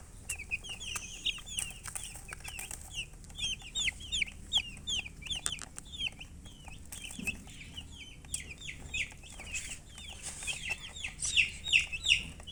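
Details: Baby chickens peeping steadily, bright downward-sweeping chirps tumbling over one another almost three per second, growing louder and denser toward the end, with soft rustling beneath.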